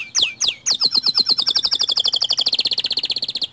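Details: White canary lure song to make other canaries sing: a few loud swooping notes, then a long, very rapid, even trill of bright high pulses.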